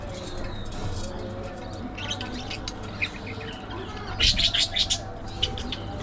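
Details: Busy budgerigar chatter of soft ticking clicks and brief warbles, building to a loud cluster of sharp, squeaky chirps near the end, over a low hum.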